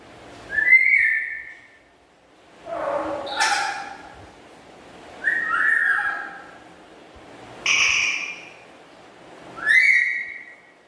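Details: Black-capped lory kept as a household pet, whose chatter is loud and melodious. Six loud, harsh, upslurred calls come about every two seconds, some with a lower hoarse note, separated by quiet gaps.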